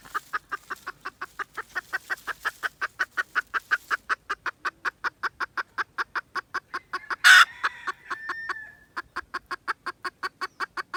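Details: Red junglefowl recorded 16 December 2021: a fast, steady series of short, sharp clucks, about four to five per second, continuing for most of the recording, broken by one loud harsh burst near the middle and a brief pause near the end.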